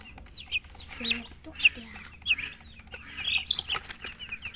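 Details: Baby chicks peeping: shrill, down-slurred chirps in loose clusters, mixed with faint lower calls and a constant background rumble.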